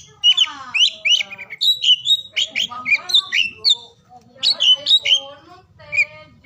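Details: Oriental magpie-robin singing through the day to spur lazy or silent birds: bright whistled phrases and descending slurs in irregular bursts, with one longer pause midway.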